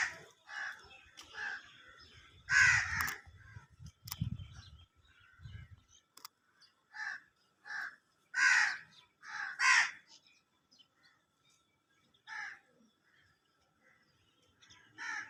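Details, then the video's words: A bird sound in hawelli: short, harsh cawing calls repeat irregularly in a quiet setting, with a few low thuds early on. "Birds chirping a beautiful sound of birds in hawelli"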